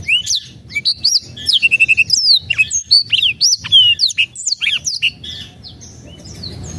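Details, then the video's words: Black-throated canary song used as a lure recording to prompt reluctant birds to sing: a fast, rambling song of high sweet chirps, slurred whistles and a brief dry trill, delivered almost without pause for six seconds. "PANCINGAN BLACKTHROAT MALAS BUNYI"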